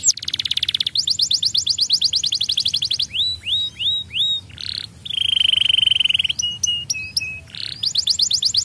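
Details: Song of a young canary, used to stimulate singing: rapid high trills, looping downslurred whistles, a long sustained pure whistle, then short clipped whistled notes before trilling resumes.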